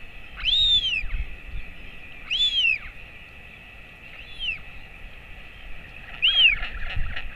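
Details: Royal albatross feeding at a colony nest, father with chick, 11:35 am on 28 August 2024. Loud, clear arching whistles with bright overtones, four in about seven seconds, separated by quieter gaps.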